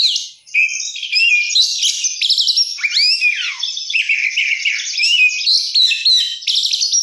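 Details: Oriental magpie-robin (kacer) singing in full 'gacor' style with a rich 'isian mewah' fill-in: a nonstop, varied stream of high whistles, rapid trills and chattering notes, with one sweeping downward slur in the middle.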